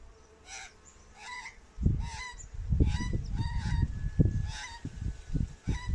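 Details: Australian magpie uttering a string of short, harmonic, fluty notes with some chattering, repeated through the recording, while loud low thumps and rumbles of handling or wind noise break in from about two seconds on.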